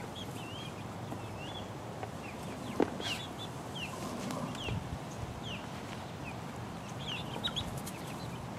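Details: Four-week-old chicks pecking around, giving scattered high, thin, rising and falling peeps over a steady low hum, with a few sharp clicks and knocks from their pecking.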